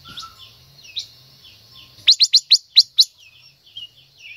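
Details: Female silver-eared mesia singing to stimulate a male: a burst of six loud, sharp, high notes in quick succession. A faint chorus of soft, downslurred chirps from other birds runs steadily underneath.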